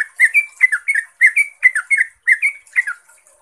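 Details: Yellow-vented bulbul (Pycnonotus goiavier), known as trucuk, singing rapidly to draw replies from other bulbuls: rollicking gurgled notes grouped in quick bursts, about one phrase per second, bright and bubbling.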